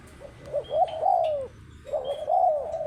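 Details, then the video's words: Cooing spotted dove: two phrases, each a quick soft note and then a longer, arching coo, with a brief silence between. "Burung Tekukur Paling Cantik"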